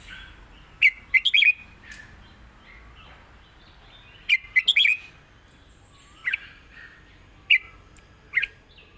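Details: Red-whiskered bulbul singing the southern 'rik' master song, a bright chattering cluster of rapid whistled notes repeated twice, then three single sharp notes spaced roughly a second apart.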